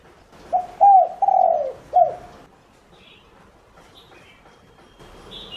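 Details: Lure spotted dove calling to attract other doves: one low, husky coo phrase of four notes with a long slurred middle note, followed by quiet background and faint high chirps.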